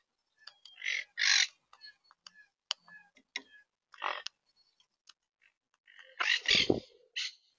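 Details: Monk (Quaker) parakeets in St. Petersburg, Florida give harsh, grating squawks and chattering screeches in irregular bursts, with a loud raucous outburst near the end; several birds seem to call.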